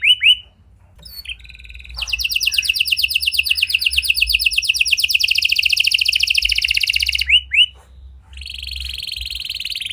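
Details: Gacor (actively singing) canary with a unique cengkok song style, played as a lure to make silent canaries respond: a few short whistled notes, then a long, very fast buzzy trill, and finally a steadier, lower rolling trill.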